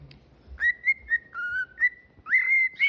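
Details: Pet cockatiel whistling a tune indoors: clear, pure whistled notes around one steady pitch, some sliding upward or dipping, in short phrases separated by brief pauses, ending with a longer held whistle.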